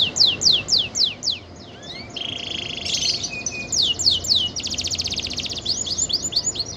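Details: Vigorous canary song used as a master song for white-eyes: rapid high down-slurred notes, then a dense buzzy trill and a fast metallic rattle, returning to repeated sweeping whistles; no other sounds apparent.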